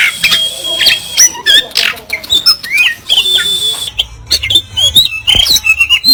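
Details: Oriental magpie-robin delivering a busy song of thin high whistles, quick upslurs and clicking, chattering notes, varied and continuous with short breaks.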